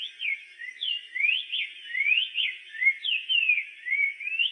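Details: Sweet, slurred whistles of a black-faced tanager, a steady run of rising and falling notes forming a bright continuous song in a quiet setting.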